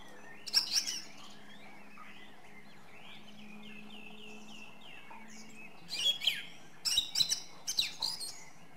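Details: Song thrush song with a series of soft repeated arched whistles in the middle, followed by loud, harsh, varied bursts of notes, over a low steady hum.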